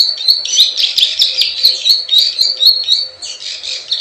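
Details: Plain prinia klik klik and ciwah lure call: irregular bursts of high, buzzy, clicking notes with short gaps between phrases.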